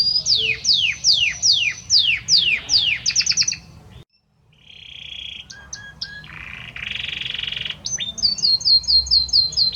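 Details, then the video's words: Male Belgian canary singing a lot to his female; a series of fast descending whistled sweeps, a brief pause, then buzzy notes and rapid repeated high chips. "Canta muito este Canário Belga para sua Fêmea - Canary Singing"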